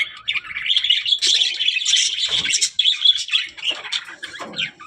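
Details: Budgerigar, a talking parrot, delivering continuous fast scratchy warbling chatter, dense and unbroken throughout.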